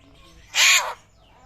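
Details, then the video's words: Papuan butcherbird, said to be rare and to sound like a raptor, giving one harsh, rasping screech about half a second long against a quiet background. "BURUNG JAGAL PAPUA SUARA MIRIP RAPTOR LANGKA"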